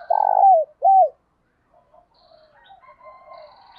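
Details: Spotted dove coos, from male and female birds, meant to stimulate and train other doves in the morning: one long rolling coo falling at the end, a shorter coo, then faint distant cooing and thin higher notes.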